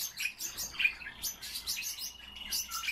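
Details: Kept common starling giving a short burst of song: scratchy clicks, rattles and a few squeaky notes, densely packed, with faint low hum.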